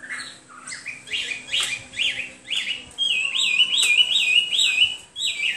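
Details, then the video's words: Hwamei song of repeated phrases: a string of short upslurred notes, then a quick run of rising-and-falling whistles repeated about five times. "HWAMEI SINGING"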